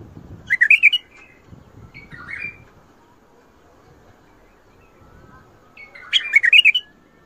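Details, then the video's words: Bulbul song in the Mandali and Badra styles, including shadat ward, fajrli and ward tabarli: two loud bursts of fast, rolling whistled notes about five seconds apart, with a softer slurred phrase between them and low background noise. "تغريد ارقى اطوار مندلي وبدره شدة ورد .وفجرلي. ورد تبرلي"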